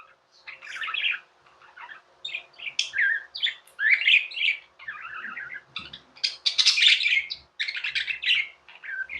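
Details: Pet budgerigars, tame birds, chattering in bursts of buzzy, warbled chirps and squawky notes with short pauses between phrases, in a quiet indoor setting.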